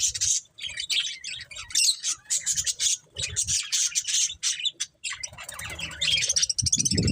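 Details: Budgies chattering in rapid, buzzy, scratchy phrases with brief gaps, grating squawky notes mixed into the warble, and a soft low rumble near the end.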